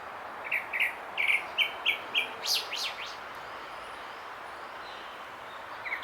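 Grey-backed Thrush singing a quick series of short, clear fluty notes, then a few high sweeping slurs, over a steady background hiss.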